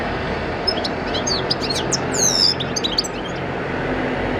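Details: Caged European goldfinch, bred in captivity in 2014, singing: quick high thin chirps and twittering notes with a brief sweeping phrase, over steady loud broadband noise like traffic.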